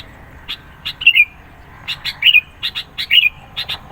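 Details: Sooty-headed bulbul in lively song for luring birds and pressing rivals: dense chips in quick pairs and three loud bubbling slurred phrases, clean and prominent.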